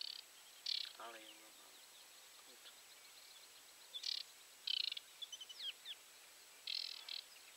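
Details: Wild aquatic warbler calling from grass, spotted through a telescope by a watcher with a running camera. It gives short bursts of high chattering notes, several seconds apart, with a lower, brief buzzy sound early on and soft background hiss.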